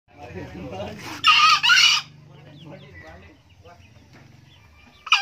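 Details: An old male green junglefowl crowing diligently: one loud, harsh two-part crow lasting under a second, with a short break between the bursts. Softer low clucking and murmuring fill the rest of the recording.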